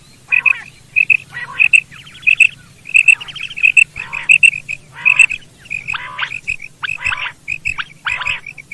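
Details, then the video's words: A female common quail calling in a field gives sharp, high paired notes, about one and a half per second, turning to rasping bursts, over a low steady hum. "Female Quail sound | Madi Batair ki Awaz |Quail Singing in field"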